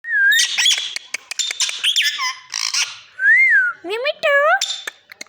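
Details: Parrot vocalising: clear whistled notes that rise and fall, a burst of harsh squawky chatter, then several bent, harmonic-rich sliding calls, mixed with sharp clicks.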